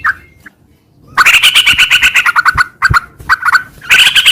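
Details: Sooty-headed bulbul singing in a rapid, continuous ngeropel style after a brief quiet start: dense chattering bursts of harsh, slurred notes, with a few pauses and low thumps.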